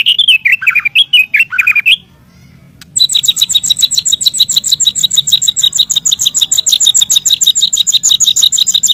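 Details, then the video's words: White-rumped shama master song for training birds: varied whistled notes for two seconds, a brief pause, then a long, fast, buzzy train of evenly repeated high notes. "SUARA BURUNG MURAIBATU || MASTER4N MURAIBATU"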